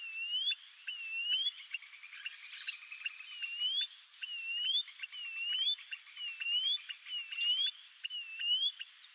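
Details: White-bellied seedeater song made of plaintive swooping whistles, each falling then climbing, repeated roughly twice a second with a short pause early on, accompanied by clicking pulses and a constant insect buzz.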